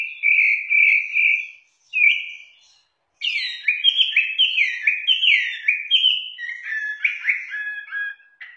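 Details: Hwamei from southern China in song: a few steady whistled notes, a pause, then a lively stream of rapid varied whistles dipping and rising in quick succession; no other sounds.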